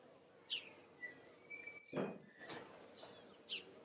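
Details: House sparrow (Passer d. domesticus) at Le Mont-Saint-Michel, France, May 2013: two short, bright chirps several seconds apart, over a thin whistled note from another bird and a soft burst of background noise.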